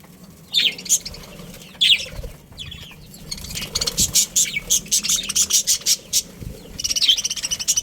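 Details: Budgerigar family: a few sharp rising chirps at first, then a fast rattling series of clicky, scratchy pulses and a final burst of warbling chatter.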